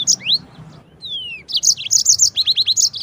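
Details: Yellow-fronted canary singing a long rolling master song for training canaries and shamas: a rising whistle, a long descending slurred note, then lively bursts of quick chirps and rapid repeated falling notes.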